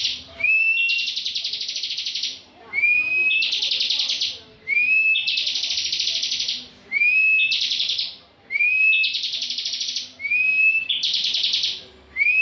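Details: Competition bar-winged prinia in steady ngebren song. It gives six phrases, one about every two seconds, each a sharp upslurred whistle followed by a dense, buzzing trill, with brief pauses between.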